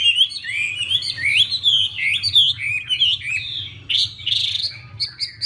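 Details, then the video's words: Chinese hwamei song while a female dances with fanned feathers to excite the male: loud, varied whistled phrases, looping up and down without pause, ending in short sharp repeated notes; soft background hum. "Họa mi mái múa xòe thúc trống nhanh lên lửa"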